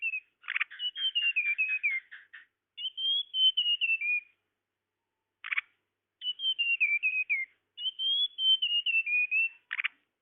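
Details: Tledekan call for luring birds: repeated descending phrases of clear whistled notes, one with a rapid trilled texture, interspersed with short harsh buzzy chips.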